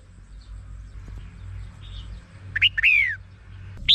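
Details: Red-whiskered bulbul song for luring birds into traps: after faint background chirping, a short liquid phrase with a drawn-out falling whistle, followed by one brief high note.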